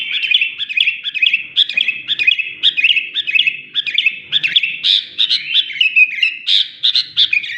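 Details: Sooty-headed bulbul: rhythmic, bubbling phrases of clear chirped notes repeated about twice a second, becoming louder and higher toward the end.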